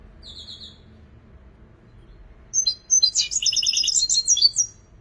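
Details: European goldfinch praised as a creative singer: a soft distant trill, then a sharp chirp and a long, loud two-second phrase of rapid, buzzy, tinkling twitters.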